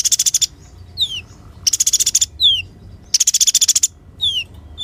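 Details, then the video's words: Energetic sunbird song meant as tutor material for songbirds: three rapid, buzzy high trills, each followed by a thin whistle that slides steeply downward. "KOLIBRI GACOR UNTUK MASTERAN KOLIBRI MACET DAN BURUNG KICAUAN"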